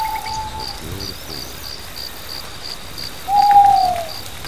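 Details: At night on Mantanani Island, between Borneo and the Philippines, a Mantanani scops owl gives two drawn-out, slightly descending hoots about three seconds apart, with pulsing insect chirping throughout.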